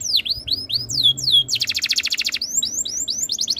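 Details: Canary tutor song for other canaries to copy: swooping downward whistles, then a dense rapid rattling trill, ending in rising and falling chirped phrases.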